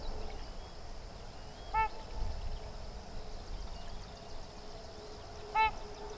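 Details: At Sherburne Wildlife Drive a sandhill crane colt with its parents calls twice, each note brief, clear and strongly harmonic, nearly four seconds apart, against low rumbling background noise and faint distant bird notes.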